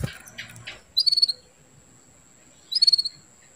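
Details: Female canary calling to arouse a male for breeding: a pair of bright, high, rattling trills of about six rapid pulses each, nearly two seconds apart, after some soft rustles at the start.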